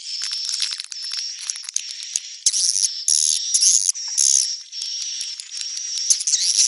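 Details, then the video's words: Swiftlets heard in a neutral-type recording, giving a steady high whine broken by loud rasping bursts of chattering twitter, about two per second. "SUARA BURUNG WALETNETRAL soUND"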